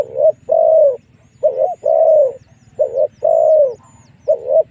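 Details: Spotted dove lure call, used to draw wild doves in to fight: mellow mid-pitched coos in short-long pairs, the long notes gently falling, about seven notes in five seconds over a steady low hum and faint high chirps.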